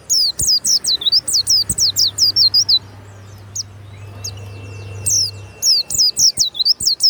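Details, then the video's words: Kept warbling white-eye singing loudly: fast bursts of high, sharply descending whistled notes in rapid series, with a pause and a faint steady tone before the bursts resume. "SUARA PLECI YANG MANTAP"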